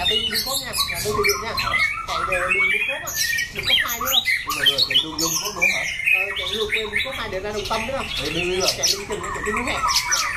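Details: Caged competition white-rumped shama with a loud, harsh voice that switches phrases, shown flaring, wing-flicking and tail-flicking; dense run of sharp whistles, slurred chirps and squawky notes, continuous and busy throughout.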